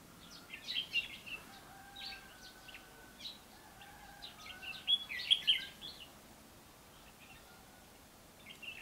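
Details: Red-whiskered bulbul giving its fighting song as a lure to trap other males. Short bright chirpy phrases come in scattered bursts, loudest near the middle, over a faint steady hum with thin drawn-out tones behind.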